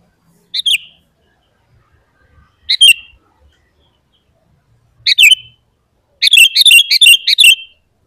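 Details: Sooty-headed bulbul song used as a lure for caged and wild bulbuls: three single bubbly notes about two seconds apart, then a fast run of five or six liquid chirps.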